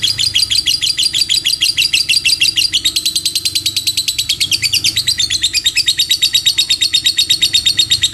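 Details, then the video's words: A lovebird's extended ngekek trill: quick repeated shrill notes running on and on, stepping slightly up and down in pitch, with a faint low hum underneath. "Suara Burung Lovebird Ngekek Panjang"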